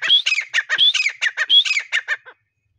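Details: Grey partridge in breeding season: three rising whistles, each followed by a burst of harsh, chattering notes, the sequence fading out after about two seconds.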